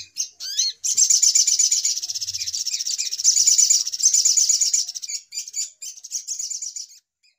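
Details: Sogok ontong lure sound used for trapping: a few upslurred whistles, then an extended rapid buzzy trill that fades into looser, broken chattering notes.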